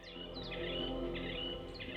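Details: Yellow white-eyes (Zosterops luteus), a small trilling flock foraging through mangrove foliage near Darwin in Australia's Top End during the dry season, give quick, high, twittering chirps in short bursts, roughly every half second, over background music.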